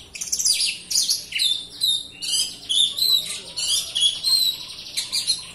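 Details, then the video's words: Oriental magpie-robin singing as a lure for a lazy bird: high scratchy trills alternating with clear sustained whistles, in a steady stream of phrases. "Pancingan Kacer Gacor Rapat, malas bunyi pasti nyaut."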